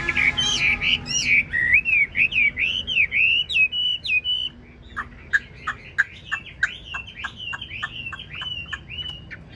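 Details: Chinese hwamei in a cage, large build, nodding in 'lion dance' style while delivering long 'ngũ trường' song. Loud buzzy, warbling whistles give way to a quick train of sharp chipping notes.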